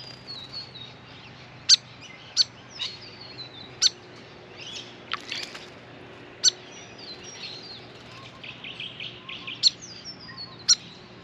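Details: A hyperactive grey fantail (Rhipidura albiscapa) visiting a backyard birdbath for a long bath gives sharp, very high chips at irregular intervals, mixed with thin, squeaky, down-slurred twitters over a faint low hum.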